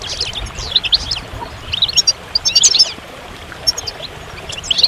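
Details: Scattered bright, high chirps and short twittered notes from a goldfinch, in a few small clusters separated by quieter gaps, over a soft hiss.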